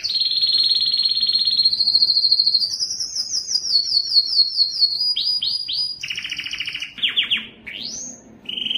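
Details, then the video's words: Yellow canary singing: fast trilled tours at different pitches, a long high rolling trill, then runs of downward-sweeping notes and a final short buzzy trill, all high and continuous. "Observing the Enchanting Song of the Yellow Canary" yellow canary singing part 2"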